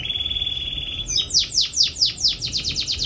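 A canary sings a fast, bright trill, then a run of descending whistled notes repeated about four times a second, falling into a quicker rattling series.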